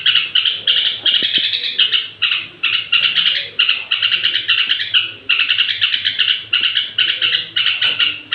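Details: Straw-headed bulbul's bedtime song to provoke other bulbuls: a steady series of fast, ringing chatter phrases, each about a second long, repeated with short gaps throughout.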